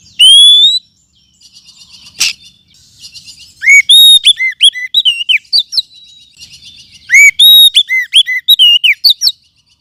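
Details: Forest oriental magpie-robin lure song for tutoring other birds: a loud opening whistle, soft buzzy twittering with a sharp click, then two long runs of rich, varied whistled notes, with chatter between them.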